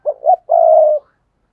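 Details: A single full coo from a spotted dove kept to lure wild doves: two short hooting notes, the second higher, then a held, even coo about half a second long.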